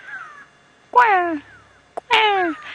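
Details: Go-away-bird alarm calls from birds hidden behind the observer on an afternoon safari drive: two loud, nasal, drawn-out calls, each sliding downward, about a second apart, after a fainter bird call; named for calls sounding like "go away", warning of threats like leopards or raptors.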